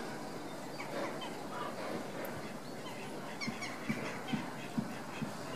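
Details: Lesser flamingos stamp-feeding keep up a dense, overlapping chorus of nasal, goose-like honks and murmurs, with soft dull thumps about twice a second toward the end.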